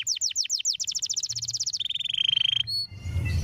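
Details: Canary song meant to set other canaries singing: descending whistled sweeps speeding into a fast high trill, then a lower buzzy roll, a lone high note, and soft noise.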